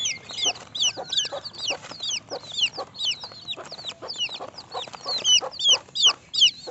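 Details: Baby chicks calling in a group, loud high cheeps that slide downward, about two or three per second, overlapping in a dense, lively chorus.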